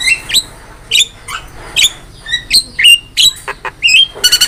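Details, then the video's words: Javan myna on songbird training audio: sharp high squeaks and short whistled slurs at irregular intervals, ending in a buzzy rattling burst. "MASTERAN JALAK KEBO GACOR"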